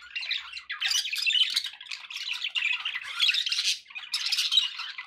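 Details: Pet budgerigars chattering nonstop: dense, scratchy warbling with squawks and clicks, rising in bursts about every second, with brief dips between phrases and no other sounds.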